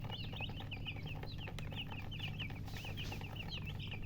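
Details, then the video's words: Newly hatched chicken chicks chirping loudly: rapid, overlapping high peeps, each a short sweeping note, several every second without pause, over a steady low hum. "Tot Murgi chicks chirping sounds Just Born Baby Gallina FRACAS Chicks Piar Loudly Sound"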